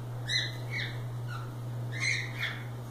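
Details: Free-flying cockatiels at play make brief stacked chirps in two small clusters, with a constant low electrical hum beneath.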